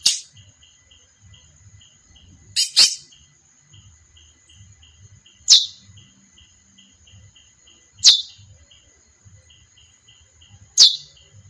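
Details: A female chestnut-bellied seed finch repeats short, bright chirps that drop in pitch, one every two to three seconds, five in all. A constant thin whine, rhythmic faint ticking and low murmuring run underneath.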